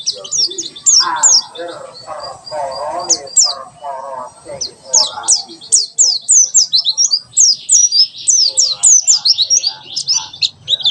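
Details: 'Tembakan sejalur' song of a white-eye, a master recording for teaching birds: a run of quick, high, downward-slurred whistles in a steady burst, over softer mid-pitched warbling and rustling.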